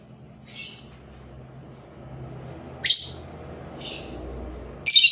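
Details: Labet bird kept as a lure bird, calling to draw other labet birds into singing: short, high, bright chirping bursts coming in quick clusters at uneven gaps of about one to two seconds over a faint low background hum.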